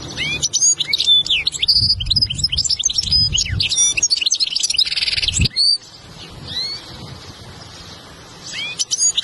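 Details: European goldfinch training song for teaching a young goldfinch: dense twittering of high, quick chirps and liquid trills, with short buzzy notes, a brief pause near five seconds, then scattered rising chirps.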